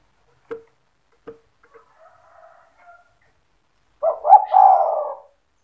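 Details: Spotted dove 'cetretan' song played to goad other doves into calling: a few faint clicks and soft sounds, then one loud low phrase of short coos ending in a long purr.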